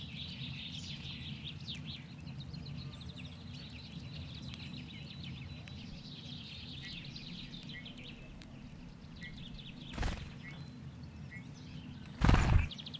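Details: Brambling keeps up a long run of rapid, high chirps that thin out after the first half. Two sharp bangs come near the end, over a steady low rumble.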